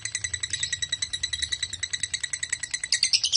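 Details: Lovebird ngekek, played to coax other lovebirds into singing: a rapid, rattling string of shrill notes, about three a second, ending in a louder, more squealing burst.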